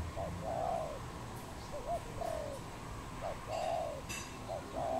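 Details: Wild dove in Cambodia, 23 April 2020: mellow low coos alternating with pairs of short clipped notes, about four phrases, with occasional faint clicks and a higher bird note.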